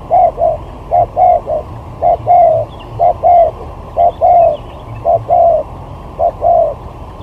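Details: Lure spotted dove in a singing competition, styles from sigagap up to jergot: clipped, hollow coos in pairs and triplets, each group ending on a longer note, repeating about once a second with a faint rumble beneath.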